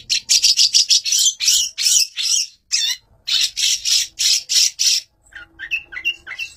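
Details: Fighter long-tailed shrike used as a master bird: loud grating, rasping notes in fast bursts with short gaps, fading into softer whistled chips at the end.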